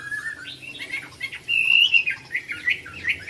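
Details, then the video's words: Chinese hwamei at a singing competition in Mỹ Đình, Vietnam, 19 July 2020: softer varied chirps building into one loud sustained whistled phrase, then scattered quick notes. "HỘI THI HỌA MI HÓT MĨ ĐÌNH 19/7/2020"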